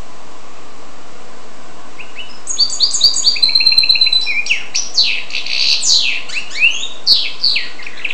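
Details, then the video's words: Hybrid of goldfinch and canary starts after about two seconds of quiet, then sings quick repeated trilled phrases that shift into loud, sweeping, slurred notes and chattering twitters until the end. "carduelis carduelis x canaria"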